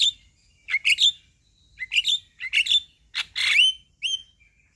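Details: Male Javan myna whose song is meant to rile up a quiet myna, giving clustered squeaky chirps and clipped whistles in bursts, ending with a sharp rising squeal and a brief thin whistle.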